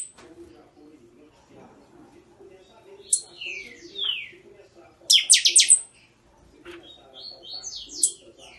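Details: Buffy-fronted seedeater, known locally as catatau, pixoxó or chanchão, singing in the 'estralando' style: short bursts of sharp, high descending and crackling notes at separated moments, over a steady low hum.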